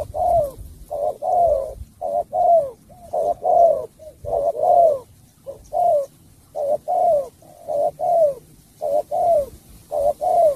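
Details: Spotted dove from Cà Mau, Vietnam, cooing in the sắm bầu bạch đề style: mellow, low hoarse coos, each short note followed by a longer falling one, repeated steadily for about ten seconds with brief gaps.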